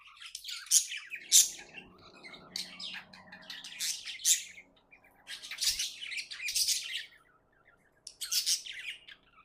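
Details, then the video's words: Pet budgerigar chirping happily: separate loud bursts of harsh, buzzy chatter with quieter gaps between, and a soft background hum. "Happy budgie chirping sounds"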